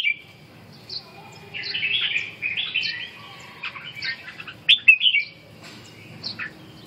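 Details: Red-whiskered bulbul singing a run of bright warbled phrases, chattering and tumbling, with a cluster of sharp louder notes near the end, over a soft low background murmur.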